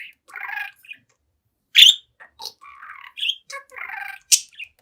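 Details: A seven-month-old budgerigar chats in front of a mirror with buzzy, nasal warbling phrases, short squeaks and two loud harsh chips between the chattering bursts.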